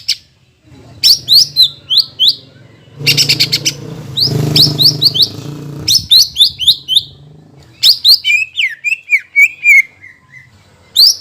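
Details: Greater green leafbird used as a lure to stimulate birds after moulting: bursts of sharp high chirps and downslurred whistled notes, rapid trills, with a brief harsh buzzy burst in the middle and short silent gaps.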